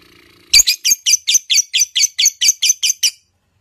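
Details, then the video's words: Female lovebird calling to provoke singing in other lovebirds: a run of about thirteen shrill, high chirps, evenly paced a little faster than four per second, ending abruptly after some faint background. "lovebird betina cocok untuk memancing kicauan burung lovebird anda"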